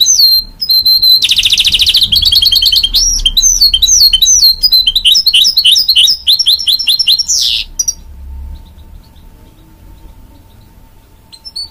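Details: A goldfinch-canary hybrid pours out loud, varied song: a dense fast trill, then chains of quick sweeping twitters and chirps, a brief rasp, then abrupt silence for the last few seconds.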